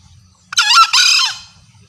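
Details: Lure call of a female green junglefowl, meant to bring males in: a raucous, strained double shriek, a clipped first syllable then a longer downward-sweeping rasp, set against quiet background with a soft low drone.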